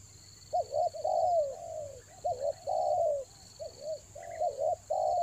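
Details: Rainy-season lure spotted dove at Toba coos busily, running low doubled notes into long slurred falling notes almost without pause; faint chirps and a steady high whine sound behind it.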